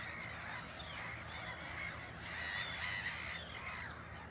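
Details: Black-headed gull with chicks at Ottersaat on Texel, the Netherlands, the parent walking away as chicks follow; harsh, nasal arched calls repeat rapidly over a steady hiss, several birds calling at once.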